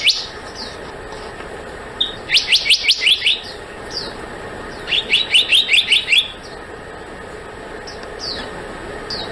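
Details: Black-naped monarch delivering two rapid trains of high, ringing upslurred notes, about seven each, with occasional faint thin whistles around them over light hiss.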